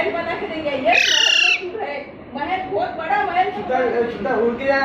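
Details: Parrot chick being carried to a new home in Panvel on a Sunday in March 2019, clueless and curious: one loud, harsh, buzzy squeak with a steady high tone, set among people talking.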